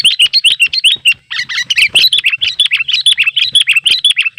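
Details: Sooty-headed bulbul calling rivals outdoors, with a crowd of wild birds around a simple trap. An almost unbroken, rapid chatter of bright, upslurred chirps, roughly five or six notes per second.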